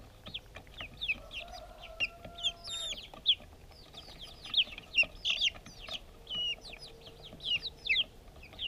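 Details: Little backyard chicks at their food, GoPro audio; scattered high, clear peeps rise and fall in loose clusters, separated by brief quiet gaps, with a faint tonal hum early on.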